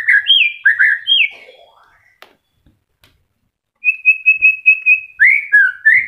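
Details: White-rumped shama, moulting and starting to regrow feathers, singing melodiously: looping slurred whistles, a brief quiet gap with a click, then a rapid string of even repeated whistles ending in swooping notes.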